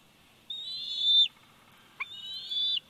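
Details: Bald eagle eaglet, 104 days old, Big Bear Valley nest camera, 27 July 2019: two long, high, steady whistled cries, each swelling louder before breaking off abruptly.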